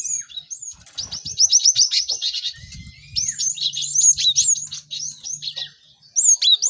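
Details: A busy group of caged cinereous tits in full song, used to help other birds learn quickly: long runs of fast, high, rattling chirps with overlapping downslurred whistles from several birds.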